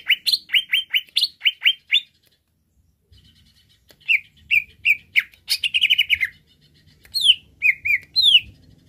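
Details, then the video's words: Greater green leafbird, excited by a provoking recording: a fast run of sharp, rising chirps, a pause, then varied slurred whistles and a rapid chattering trill, ending with sweeping downslurred notes. "Merangsang Cucak Ijo Cepat Naik emosinya"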